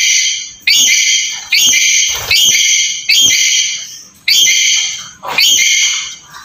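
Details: Black-capped lory, recorded to stimulate a quiet bird to call: a series of loud, ringing harmonic screeches, seven calls in six seconds at uneven spacing, each starting abruptly and tailing off.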